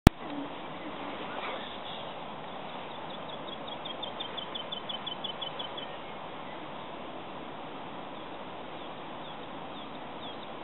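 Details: A woodlark in song in May 2018 gives a faint, fluty run of rapidly repeated high notes for about three seconds, over a steady low rumble of wind.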